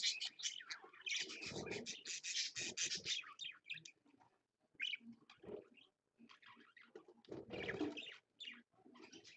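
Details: Parakeet parent with two babies at 6 AM, giving bursts of dense, scratchy high chirps and chatter in clustered runs, with short quiet gaps between the groups.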